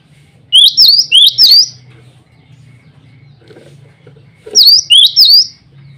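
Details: A singing male cinereous tit calls to rivals and females. Three bright, clipped whistled notes are followed by a silent gap of about three seconds, then another set of three.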